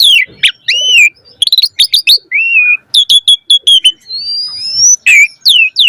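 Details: Asian pied starling (jalak suren) in lively full song packed with varied phrases, played as a lure to prompt other starlings to sing. Loud clear whistles, sharp rising and falling slurs, bursts of rapid clicks and chatter, and a long rising whistle near the end.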